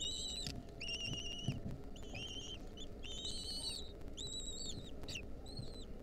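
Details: Wild lesser kestrel nestlings, 2023, beg while their mother delivers a mouse: a string of squealing, overtone-rich calls of varying length, some rising, roughly eight in six seconds, with faint thumps and steady low background noise.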